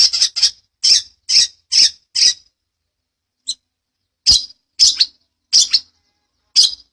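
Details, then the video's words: Long-tailed shrike (cendet, petet) in a master recording used to train other birds, 'gacoran rol rapat ngeplong' style: about ten loud, rasping, broadband notes, singly and in pairs, with a short pause midway. "Masteran burung CENDET_PETET gacoran ROL rapat NGEPLONG"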